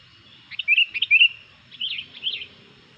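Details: Sooty-headed bulbul, singing vigorously to provoke other bulbuls, gives two soft, bubbly warbled phrases of slurred, liquid notes separated by a short pause, over a quiet background.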